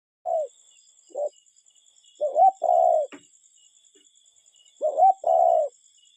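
A cuckoo gives hollow, mellow two-note calls, repeated in paired bursts every couple of seconds, over a thin, steady high insect whine.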